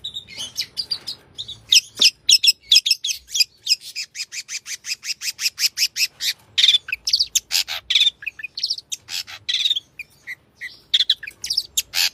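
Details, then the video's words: Long-tailed shrike singing actively with a rich fill-in repertoire; rapid high ticking series alternate with scratchy chatter and clear whistled notes across a long, varied, almost continuous phrase. "cendet gacor isian mewah"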